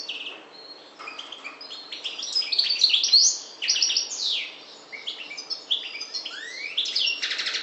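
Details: European goldfinch of the subspecies parva, Maghreb, singing a rapid, tumbling twitter of high chirps, sweeping slurs and short buzzy notes that runs almost without pause, with a few brief quieter gaps.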